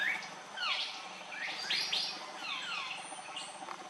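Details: Andaman bulbul close by on Andaman Island, India, March 2020: sharp chirps with steep downward slurs, delivered in spaced clusters, plus a few softer notes, over a quiet hissing background.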